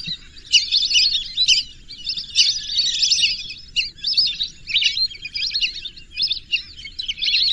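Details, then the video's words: Lesser whistling duck calls: a dense, continuous chatter of high, squeaky whistled notes from several birds overlapping, rising and falling in bursts, with a faint low hum underneath. "whistling dack call/sound /বালি হাসের ডাক/শরালী পাখির ডাক"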